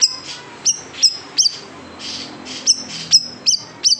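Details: Large siri-siri bird singing 'tembakan pedas' shots for tutoring caged songbirds: crisp, very high, downward-whipping chips, several paired, repeated at uneven intervals of roughly half a second.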